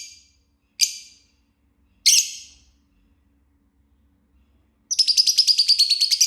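A lovebird gives three sharp, shrill chirps spaced about a second apart, then a rapid run of high, scratchy twittering notes.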